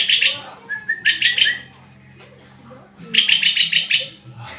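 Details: {'caption': 'White-rumped shama giving bursts of quick high chattering notes, a soft low whistle in between, then a longer rattling phrase after a quiet pause.'}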